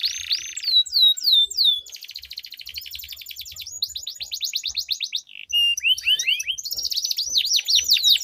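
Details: Long rolling canary song played to prompt other canaries to sing, two birds duelling: falling whistles, a sustained buzzy trill, a pause, then rapid looping notes and high chatter.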